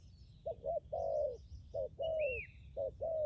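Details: Captive spotted dove used as a decoy gives paired low coos, a quick double note followed by a longer falling coo, repeated steadily; a thin rising-falling whistle from another bird and faint chirps in the background.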